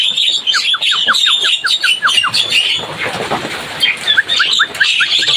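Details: Javan myna: a quick series of short downward-slurred whistles, about four per second, over high chatter, a brief break of rougher noise, then the same slurred notes resume.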